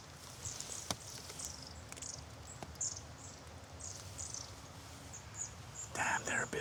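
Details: A very busy flock of at least ten long-tailed tits in a snowy forest, late afternoon in late November, gives thin, very high, overlapping see-see calls; a man speaks quietly near the end.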